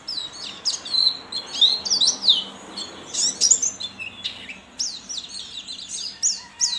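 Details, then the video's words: Competing white-eye owned by a keeper in Sambas, West Kalimantan, in an online contest: bright, thin twittering of sharp downslurred and upslurred notes in clustered bursts, with brief pauses between groups. "LOMBA PLECI ONLINE 9 - Aksi Pleci KERAMAT"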